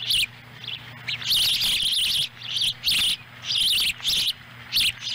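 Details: At a Montana osprey nest in Lolo on July 18, 2017, during feeding of a young bird with a whole small fish: harsh, high, insistent chirping bursts, some long and run together, others short, separated by brief pauses.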